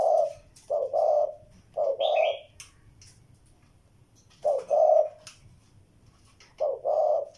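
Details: Low, hoarse spotted dove coos, short-long pairs separated by pauses of a second or more, with a quick high chirp from another bird early on.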